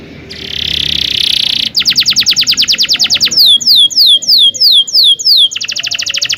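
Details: Canary with a long rolling tutor song for young birds: a buzzy sustained note, then a fast even trill of chips, a run of looping downslurred whistles, and another quick trill at the end.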